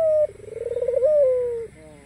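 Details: Melodious coo of a white, black-collared ringneck dove inviting rivals to sound off: a brief flat note dropping into a rapid tremolo, then a long, gently descending tone.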